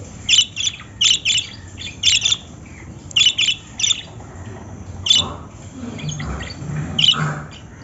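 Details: Lovebird giving shrill, high chirps in quick pairs and triplets, roughly once a second, then thinning out, over a low room hum and faint murmur.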